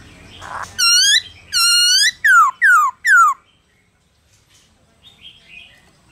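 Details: Black-throated laughingthrush singing in the 'forest voice' style meant to stir other laughingthrushes to sing: five loud, ringing whistled notes, the later ones sliding downward, followed by quiet faint chirps.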